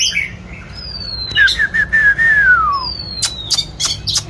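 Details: Oriental magpie-robin singing and dancing, giving long clear whistles that slide down, a wavering mid-pitched whistled phrase falling away at the end, then sharp clicking notes.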